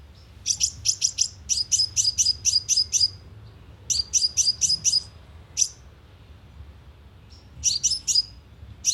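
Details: Sunbird lure calls broadcast from a speaker to draw birds in: quick runs of shrill, high chips, about two per second within bursts, separated by pauses and an isolated single note.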